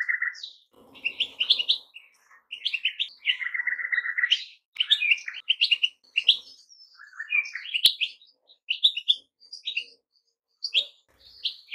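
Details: Goldfinch song with a drawn-out nasal buzzy note, soft rasping sounds, and lively twittering, tinkling phrases of high notes running through the rest.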